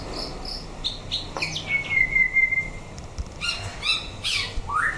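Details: White-rumped shama, tested as a fighting bird, gives a long level whistle, then rapid stacked chirps and a final upward slur, amid faint background hum.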